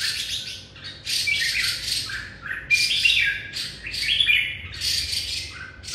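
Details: Red-whiskered bulbul greeting the morning with harsh, scratchy chattering bursts mixed with brief whistled notes, repeated in rough clusters about one second apart, with a faint steady hum behind.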